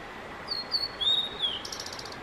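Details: Singing male Blue-and-white flycatcher, performing for roughly fifteen minutes before bird photographers: a string of bright high whistles sliding downward, ending in a fast buzzy rattling trill, over faint background hiss.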